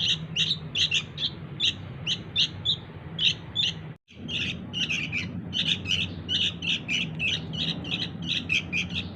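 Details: Sooty-headed bulbul young calling to lure parent birds: fast series of harsh, high chirps, a brief silent break partway, then a denser burst of chirping over faint hum.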